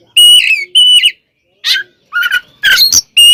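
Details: Oriental magpie-robin fighting song meant to provoke other kacer: long, pure, ringing whistles alternate with harsh, rasping bursts, spaced by short silences.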